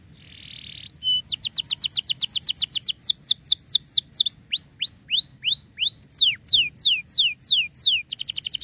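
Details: Canary song used as a tutor for canaries that have stopped singing: after a brief buzz, a long fast series of high clean whistled notes, first rapid trills, then slower downward-sweeping slurred notes, ending in another quick trill; low steady background hum.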